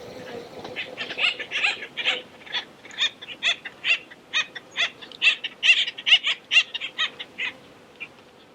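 Acorn Woodpecker giving harsh, raspy 'wakka' notes, about two per second, in a steady chattering run with faint background hiss.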